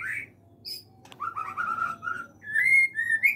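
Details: White-rumped shama in an aviary, whistled phrases: a high note, then a string of mellow slurred whistles in the middle register, rising into brighter sustained whistles near the end, over a low background hum.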